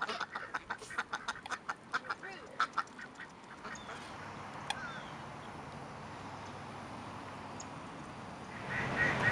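A Mallard gives a quick run of about a dozen harsh quacks, roughly four a second, fading toward the end, then steady background hiss.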